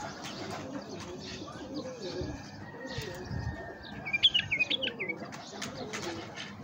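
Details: Tamed bulbul used to attract wild bulbuls, giving a quick sequence of sharp, liquid chirps late on, preceded by a long thin whistle-like tone, with other birds twittering faintly and low background noise.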